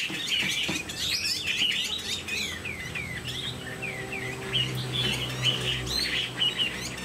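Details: Captive Chinese hwamei giving a string of quick down-slurred whistles and chirpy notes, about two per second, over a steady low rumbling background noise.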